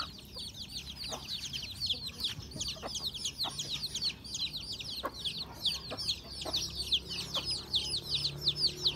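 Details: Home chickens at breakfast: rapid, shrill descending peeps from a crowd of birds, about two and a half per second, punctuated by distinct pecking clicks on a surface.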